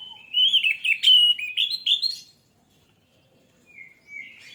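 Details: Orange-headed thrush song used as a lure to prompt singing: a loud two-second string of rich, varied whistled notes, a clean pause, then faint, short, descending whistles.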